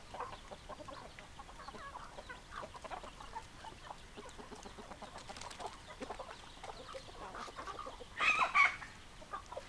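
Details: Hens and roosters in a flock, a dense low bed of clucking with a louder burst of sharper calls near the end.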